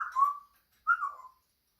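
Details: Pet African grey parrot making noises: two clear whistled calls about a second apart, each opening with a brighter burst and then sliding down into a steady, fading tone. Quiet room, no other sounds.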